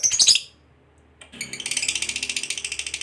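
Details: Lovebird of the fighter type in long ngekek trill, used as a lure to make other lovebirds sing: a brief burst of high chirps, a short pause, then a fast buzzy pulsed trill rattling steadily at high pitch.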